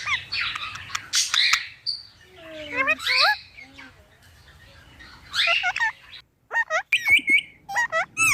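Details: ['Talking Indian ringneck parrot giving short, bright mimicked phrases with curling, up-and-down tones, a quiet pause midway, then sharp high chirps.']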